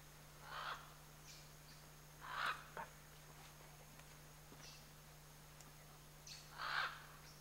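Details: Scarlet macaws, a pair in the Chiquibul area, heard at some distance: three short, rough squawks spaced a couple of seconds apart, with faint clicks and a constant low hum between.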